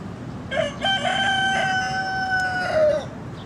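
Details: Rooster gives one long crow of about two and a half seconds, opening with short notes, then a sustained strained tone that drops at the end.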